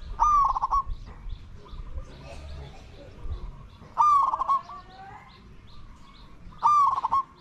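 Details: Spotted dove decoy calling to lure wild doves, three loud, stuttering coos spaced about three seconds apart against a quiet background.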